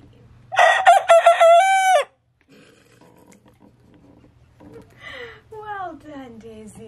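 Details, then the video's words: Young rooster practising one of its earliest crows: a loud, harmonic, slightly wavering crow of about one and a half seconds, followed by quieter falling calls and a woman's voice. "Young roosters practice their crows"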